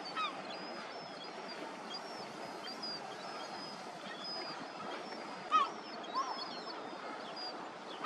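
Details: Juvenile Lesser Black-backed Gull begging while being fed: a few sharp, slurred squealing calls stand out near the end over a steady wash of many distant gull cries and background noise.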